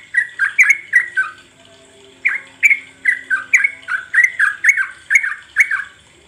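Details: Sooty-headed bulbul song used as a lure to make birds sing, ngropel style: four quick scratchy slurred notes, a short pause, then a longer even run of similar notes about three per second, fading out at the end.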